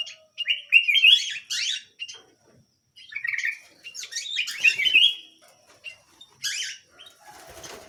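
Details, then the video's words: Tiny canary pouring out dense, scratchy warbled phrases in two long bursts, followed by a short high chirp and a brief rustle. "BURUNG KENARI MUNGIL GACOR"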